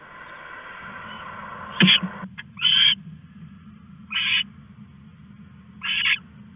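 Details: Owl at 1:41 AM on August 21, 2015, stashing a rat at night; four short, harsh, hissing bursts, spaced irregularly about one to two seconds apart, over a steady low background hum.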